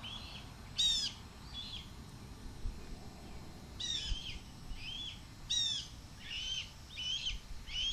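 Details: Male red-tailed hawk fledgling screaming at its passing mother to ask for food, near the nest on 7.2.23. Three piercing, descending screams alternate with softer, rising-and-falling whistled whines.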